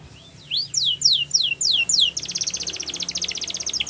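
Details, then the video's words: Canary song opening with a soft rising note, then a series of loud steep downward-sweeping whistles, then a long, even, rapid high trill of short repeated notes. "The Best Canary Singing"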